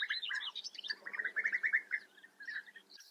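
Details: Close European bee-eater at a colony in the Eifel, Germany: loud liquid rolling calls in a rapid series of about six, preceded and followed by higher twittering notes.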